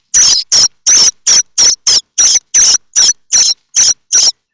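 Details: Common starling nestlings in a nest at Théding, France, begging while waiting for parents to bring food: loud, harsh, high-pitched rasping calls repeated rapidly, about every third of a second, in a steady chorus.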